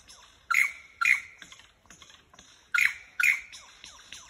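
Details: Lyrebirds in Dandenong, Australia: four powerful ringing notes in two pairs, each sharp and bright with a trailing tail, separated by soft twittering.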